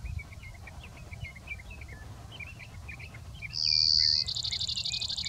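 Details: A male Brewer's sparrow sings its daytime "short song", typical of unmated males, from big sagebrush near Silver City, Montana, in the morning: a high, buzzy trill breaking into a faster, rattling trill, soft chirps before, low wind rumble, sage thrasher behind.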